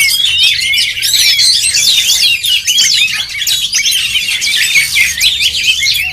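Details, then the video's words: Several oriental magpie-robins competing at a songbird contest, their fast, varied whistled phrases and sharp chirps overlapping into a continuous high chorus throughout. "LOMBA KICAU MANIA BURUNG KACER"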